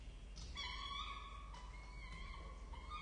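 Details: Young peregrine falcons calling at their nest in Orange, Australia, during a feeding on 23 October 2023: a few strained, whining wails, each a second or so long with slightly wavering pitch, over a constant low rumble.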